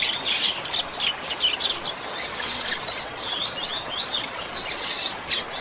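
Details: Captive-training recording of a rusty-collared seedeater in "chuva" song style: quick, high, jumbled chirps and short upward and downward slides in an unbroken stream, backed by constant hiss.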